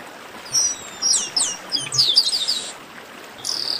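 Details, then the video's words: Chestnut-capped blackbird in esquenta (warm-up) song: long falling whistles and bright slurred notes running together, followed by a short buzzy burst. "Melhor Esquenta de Garibaldi"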